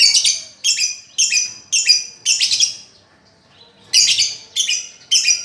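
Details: Training recording of a lovebird for a bird that quit singing: a rhythmic series of about eight loud, raspy, high screeches, roughly two per second, broken by a brief pause midway.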